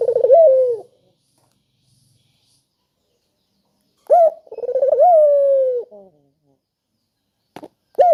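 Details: Spotted dove calling as a lure for doves reluctant to sing: the end of one coo, a long quiet pause, then a full phrase of a rising note, a rapid trill and a drawn-out tone, with a brief click and another phrase starting.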